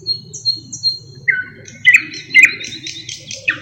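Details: Thrush nightingale, a songbird known to mimic other birds, giving thin high whistles, a descending slurred note, then emphatic clicking notes and rasping buzzy phrases, with low background hum.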